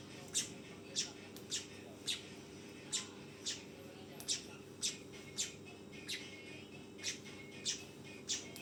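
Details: Fledgling weaver repeating high, sharp chirps about twice a second, slightly irregular, over a steady background hum.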